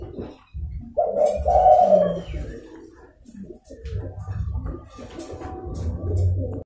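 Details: Zebra dove call to attract wild doves: one strong, purring, rolling coo phrase lasting about a second, followed by quieter muffled sounds and low rumbling noise.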